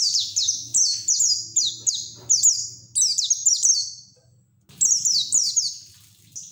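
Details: A white-eye's 'ngeriwik' song in the 'ngalas' manner, meant to prompt untrained white-eyes to open their beaks; strings of high, downward-sliding chips repeated about twice a second, broken by a short silence before another rapid series.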